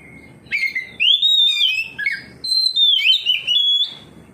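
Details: Oriental magpie-robin responding to a rival magpie-robin, pouring out loud whistled phrases: rising slurs, level sustained notes and quick warbles, nearly continuous for three seconds, with a low hum beneath.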